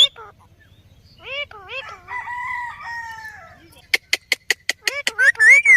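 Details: Talking Indian ringneck parrot, the rose-ringed parakeet, said to repeat "Mithu Mithu": a string of nasal, harmonic, up-and-down syllables and a drawn-out flat tone, then a fast burst of sharp clicking pulses ending in shrill rising squawks.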